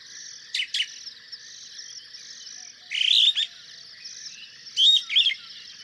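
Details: Superb starling (Lamprotornis superbus) in Kenya giving a rambling, high chattering song with louder squeaky bursts and whistled notes every second or two over a steady, buzzy background hiss.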